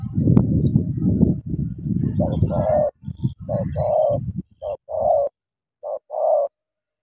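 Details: Spotted dove decoy meeting a wild bird to fight; loud low rumbling and knocking fill the first seconds, then clear paired coos, short note followed by a longer one, repeated three times.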